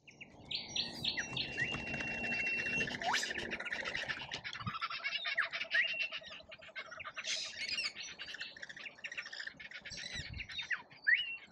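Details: Lorikeets in a feeding frenzy at a feeder in Australia: a dense chorus of shrill, buzzy screeches and chatter from many birds, with a sustained whistled note early on and wingbeats.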